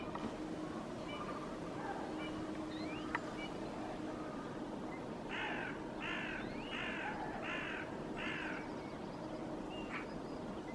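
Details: Hooded crows in a tree in Helsinki, Finland, in February 2022, in a staring contest with a northern hawk owl and Eurasian magpies after escorting the owl. Five harsh caws come roughly every 0.7 seconds midway, over a steady background rumble with faint chirps.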